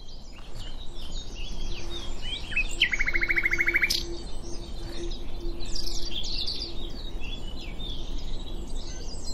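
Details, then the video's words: Common nightingale singing at Diddington: a fast rattling trill of repeated notes lasting about a second, set among a dense chorus of other birds' whistles and chirps, with a steady low hum in the background. "Nightingale at Diddington"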